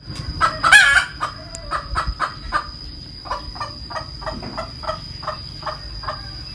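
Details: Hen cackling: a loud squawk, then a long run of short, sharp clucks repeated about three to four times per second and slowly fading. A steady high-pitched electrical whine continues underneath.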